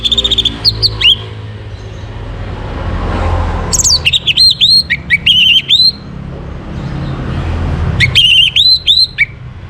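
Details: An orange-headed thrush sings in the morning, in a recording for bringing birds into breeding condition: loud phrases of looping, downslurred whistles and quick chips, repeated in bursts, over a soft low rumble.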